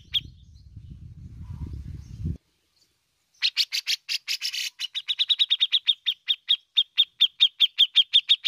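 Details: Bearded bulbul, called cucak jenggot, in full song: low rumbling noise at first, then silence, then harsh chattering notes giving way to a long, steady series of bright clipped ticks repeated several times a second.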